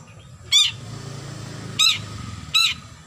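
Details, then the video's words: Long-tailed shrike calling a rival, giving three loud rasping, buzzy notes spaced about a second apart over a low background hum. "Suara Burung Cendet Memanggil Lawan"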